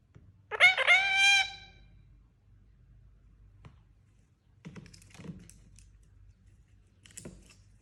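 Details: Pet Indian ringneck parakeet, described as a talking parrot, gives one loud, harmonic, slightly wavering utterance lasting about a second. Near-silence follows, broken by faint knocks and soft rustles.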